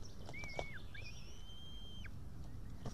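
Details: White-tailed eaglet chick at an Estonian nest, June 2018 evening, calling for food it could not tear apart itself. A short whistle, then a longer thin rising whistle over steady low rumbling background noise.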